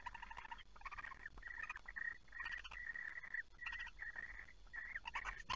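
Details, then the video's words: Barn owl recorded at night at 23:36 on 5 August 2019 in an It Fryske Gea reserve during prey transfer and mating: harsh, raspy, banded calls in near-continuous bursts of about half a second to a second, with brief gaps between. "Kerkuil It Fryske Gea 5 8 2019 23 36 prooioverdracht en paring"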